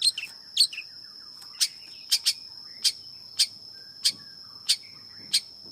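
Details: Long-tailed shrike: a few harsh chirps, then short sharp ticking notes spaced roughly every half second, against a continuous thin high-pitched whine.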